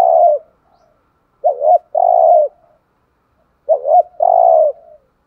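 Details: Spotted dove (chim cu gáy) kept as a decoy, giving insistent cooing to lure wild doves: low mellow phrases, a short wavering double note followed by a longer steady coo, repeated twice with pauses.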